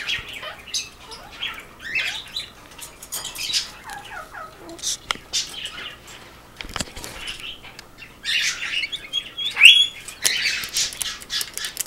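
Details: Blaze, a pet male rainbow lorikeet (Trichoglossus moluccanus), greets his owner wanting attention with harsh, high, shrill screeches and chattering squawks in irregular bursts, loudest near the end, with wing flutters and rustling between.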